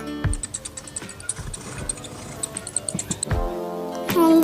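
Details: Rhythmic music with ticking percussion and a closing swell, without any animal call.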